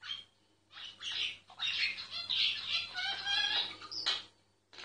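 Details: A myna singing, captured without disturbing it: a continuous rich warbling chatter of gurgles, squeaks and rasps lasting about three seconds, ending in a loud harsh note.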